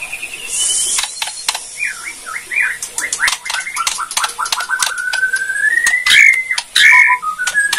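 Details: White-rumped shama of the Borneo type giving kretekan song, meant to provoke other shamas: scattered sharp clicks, then a run of high whistled swoops and slurred notes that climb into a bright rising phrase near the end.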